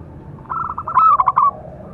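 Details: Local zebra dove with a special big voice, singing a calling song to provoke other doves: a short run of soft coos swelling into a loud, fast rolling phrase of about five notes lasting half a second.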